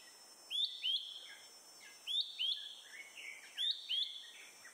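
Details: Malaysian hawk-cuckoo (Hierococcyx fugax) in Selangor, Malaysia, April 2021, morning, perched high calling nonstop after eating a caterpillar, song and alarm call together: shrill, rising paired whistles repeated about every one and a half seconds over a steady high insect hiss.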